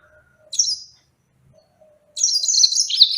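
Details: Yellow-fronted canary singing: a short high twittering burst, then a longer dense run of bright, buzzy high notes after a pause, with faint lower tones between them.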